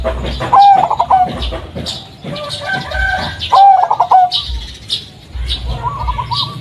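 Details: Zebra dove, local Blorok Madu variety with a striped pattern and white marks, used as a lure for doves at home: two strong cooing phrases, each a clear note breaking into a quick trill, and faint rolling coos at the end.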